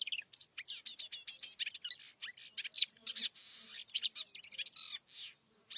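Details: Oriental reed warbler (Acrocephalus orientalis) singing in its wild natural habitat: a harsh, chattering run of rapid grating and churring notes, high-pitched and jerky, with brief pauses between phrases.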